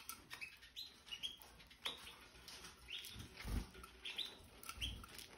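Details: Caged Red Factor canaries, two adult pairs with their spring 2023 young, molt almost complete, after cage cleaning and fresh seed. Short high chirps come every second or so, with fluttering wings and cage rustling.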